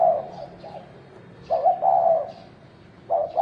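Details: Spotted dove from the fields, calling during a fight: a soft coo fades out, then a clear stuttering coo phrase, then another begins at the end.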